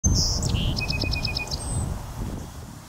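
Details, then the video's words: A North American Song Sparrow sings on a northern USA prairie on a windy day: high opening notes, a buzzy note, then a fast even trill of clipped notes and a final thin whistle, with steady wind rumbling beneath. "A North American Song Sparrow sings its song"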